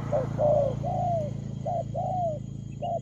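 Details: Rapid spotted dove coos in the 'lèo gù' style, brief clipped notes mixed with longer, slurred, falling coos, over a steady low hum.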